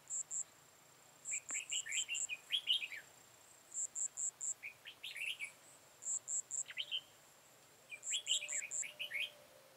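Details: Red-whiskered bulbul decoy at a trapping site, recorded 13 October 2018: four bursts of lively, warbled whistled phrases about two seconds apart. Groups of very high, rapid insect-like chirps repeat between the phrases.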